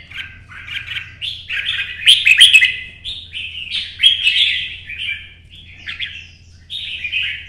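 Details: Red-whiskered bulbul (chào mào) performing a competition 'chạy cầu' solo in early sun: a long continuous chain of quick warbling, slurred notes, loud in the middle with sharp clicks, low hum underneath.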